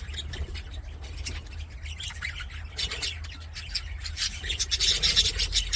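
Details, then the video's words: Singing budgerigars in an aviary: chattering chirps that build in loudness toward the end into rapid, harsh rasping squawks, over a low droning hum. "BUDGIES SINGING PLAYING"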